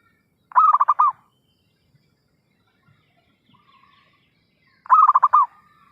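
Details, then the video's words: Zebra dove call played as a trapping lure, two quick bubbling coo phrases about four seconds apart, each a rapid run of soft pulsed notes, with quiet gaps and faint low thumps between. "suara pikat perkutut gacorr....!!"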